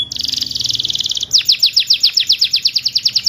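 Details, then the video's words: Canary singing as a lure for birds that stopped singing: a dense rattling high trill that breaks into a clear run of rapid down-slurred whistles, roughly six each second. "PANCINGAN BURUNG KENARI MACET BUNYI"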